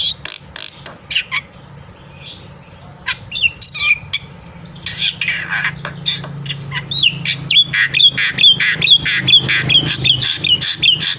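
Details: Black-winged myna morning song meant for young birds to learn. Dry ticks and a few whistles build into a loud, busy stretch of harsh squawks and swooping whistled notes repeated in quick succession.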